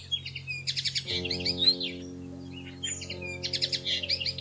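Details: Bushtits, a pair nesting each year in plum tree branches, recorded at treetop level from a window in early May: dense, high twittering chirps in quick clustered bursts, over a steady low droning hum.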